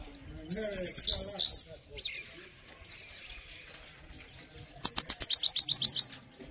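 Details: Himalayan goldfinch in clean voice, singing a training song with a fast burst of high sharp chirps, a few scattered notes, then a second run of about ten evenly repeated high notes.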